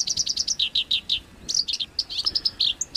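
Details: Songbird in a masteran training recording of harsh 'kasar' phrases for house and contest birds: a run of quick high chirps, then slurred rising notes and a burst of sharp, clipped whistles near the end.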